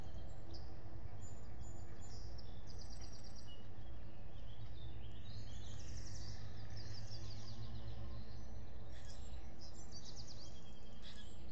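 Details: Female osprey at her nest at Salt Point in the Finger Lakes, US, on 24 May 2021 after her eggs were taken, recorded by a solar-powered nest camera; rapid series of high, thin whistled chirps repeating throughout over a steady low hum.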